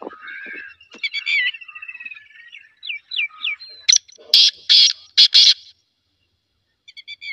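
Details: Chattering and whistled notes of other birds precede a single black francolin phrase of about four harsh, scratchy rasps, followed by brief faint twitters.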